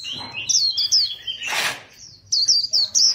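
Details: Competition white-eye sings thin, high, wavering twitters in quick runs, cut by a loud rushing noise burst midway, then resumes with brisk repeated high notes.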